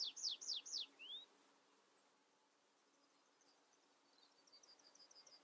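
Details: Tree pipit (Anthus trivialis) song ending: four loud, high, slurred notes sliding steeply downward in quick succession, then a softer rising whistle, followed by faint, distant high twitters from another singer.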